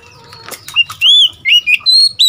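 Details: Seven-month-old Oriental magpie-robin used as a decoy, answering wild birds with loud, clear whistled notes, each a short slurred phrase, delivered in quick succession after softer faint calls.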